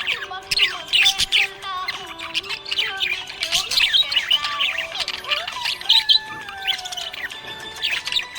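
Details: Cheerful budgerigar chatter: bursts of sharp chirps and squeaky warbles in clusters, some pauses between, while music with long stepped tones plays behind.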